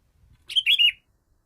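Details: Sooty-headed bulbul calling a rival with a single short, liquid phrase of three quick slurred notes, chirpy and bubbling, preceded by faint low rustling.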